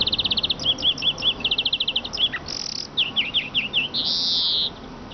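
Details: Eurasian siskin song made of rapid high chattering trills and repeated twittered notes. Short buzzes and a series of downslurred chips lead into a long nasal wheeze. Constant background hiss is present.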